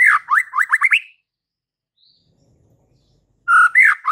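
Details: A white-rumped shama singing to provoke fighter males gives a quick series of rising upslurred notes, falls silent for over two seconds, then starts a loud new warbled phrase.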